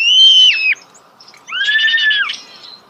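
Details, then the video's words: Starling singing at close range: two loud, level whistled notes with a buzzy overtone. Each lasts about half a second, the second dropping at its end, with a short quiet gap between them. "The song of the starling"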